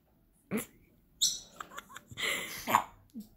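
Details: Pet African grey parrot imitating a fart and cursing. A sharp burst comes first, then a string of varied squawky, voice-like sounds and a clear tonal note near the end, with a person speaking just beforehand.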